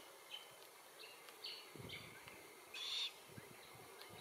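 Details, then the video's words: Feeding Glossy Black-Cockatoo of subspecies lathami at Allocasuarina verticillata trees, Capertee Valley: a single short harsh call stands out late, preceded by fainter soft notes and light rustling sounds. "Glossy Black-Cockatoos in Capertee Valley - Includes calls and feed tree identification"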